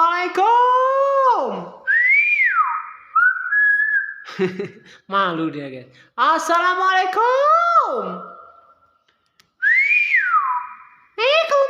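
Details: Nias hill myna alternating loud, harsh, strongly harmonic downward-sliding calls with clear rising-then-falling whistles and short level tones, in bursts separated by brief pauses.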